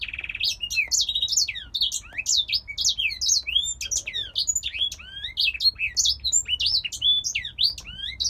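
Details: Male grey singer finch kept as a pet, from a Polish breeder, opens with a short buzzy note, then sings a long rapid medley of high twittering whistles and swooping slurs, continuous throughout.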